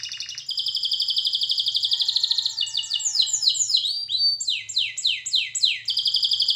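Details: Canary singing for training: a long, even, high trill gives way to a chain of looping downslurred sweeps, then a return to rapid trilling, with a faint low hum underneath.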